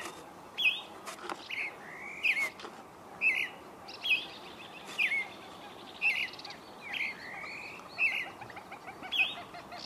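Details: Dawn song of a creamy-bellied thrush: brief bright phrases of sharp chirps and upward-slurred whistles, delivered about once per second in an uneven rhythm, against a constant low hiss of ambient noise.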